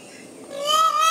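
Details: An Indian peafowl (Pavo cristatus) gives a single loud, nasal, trumpeting note that rises slightly and holds for under a second after a quiet start.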